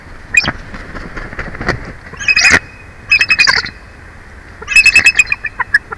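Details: Bald eagles at a live nest in Big Bear Valley, one adult taking over from its mate at the nest; high, thin chittering calls come in short bursts of rapid squeaky notes, three clusters separated by quieter gaps with faint background rustling.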